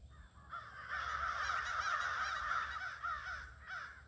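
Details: Crows at a near-evening gathering on 22 August 2026, a dense chorus of harsh overlapping caws running almost unbroken for several seconds, swelling in the middle and trailing off into a few separate calls.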